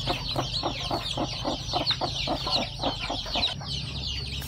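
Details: Domestic hen that has hatched her eggs, tending her chicks: steady, rapid clucking at about three to four per second, with high thin peeping from the chicks layered above.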